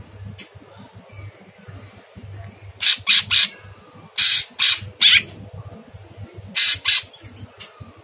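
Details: Harsh long-burst masteran from a Sooty-headed bulbul: three groups of two or three grating, noisy notes spaced a second or more apart, with a steady low hum in the background.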